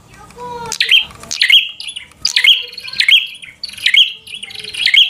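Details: Bar-winged prinia singing aggressively to stir a rival to fight: a brief soft note, then five loud, piercing chirp bursts spaced about a second apart, each sliding into a short high ringing tone.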